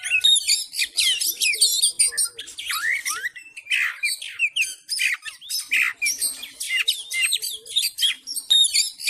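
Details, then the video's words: Oriental magpie-robin in full fighting mode, persistently provoking other males: an intense, almost continuous torrent of harsh buzzy notes, squeaky chirps and quick slurred whistles, loud and densely packed throughout. "KACER FULL TARUNG DAN NGOTOT MEMICU KACER LAIN CEPAT FIGHTER"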